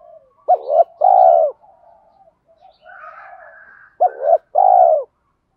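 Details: Spotted dove call for stimulating trained birds, male and female voices: two low, hoarse two-part coos about three seconds apart, each a brief lifted note then a sustained coo, with soft quieter cooing murmurs in between.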